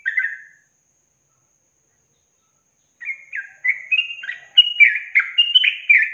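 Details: Yellow-vented bulbul (trucukan) in a long-trill 'ropel panjang' song, a training recording for songbirds. A short bubbly burst, a silent pause of about two seconds, then a quick run of rich, chortling, warbled notes that climb and tumble, with no other sounds.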